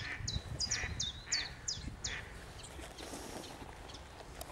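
A Common Chiffchaff gives a run of six high, sharp, falling notes, about three a second, then stops. A low rumble of background noise runs underneath.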